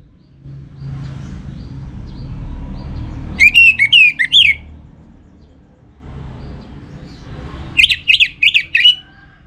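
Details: Two quick phrases from a caged Orange-headed thrush in northern Bali: bright, twisting whistles repeated in fast pulses, separated by a long pause filled with soft low background noise.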